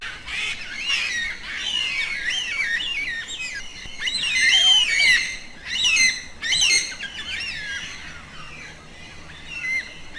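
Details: A yellow-tailed black cockatoo flock communicates with a chorus of drawn-out, quavering screeching wails. Calls overlap and swell in loud bursts, then fade toward the end, over a quiet natural backdrop.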